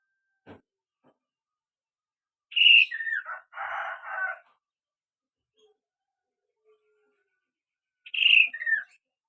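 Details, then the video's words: Kaso-kaso bird singing actively: a loud descending whistled phrase followed by a rough, buzzy chattering burst, then silence and a repeat of the descending whistle several seconds later. "burung kaso-kaso gacor"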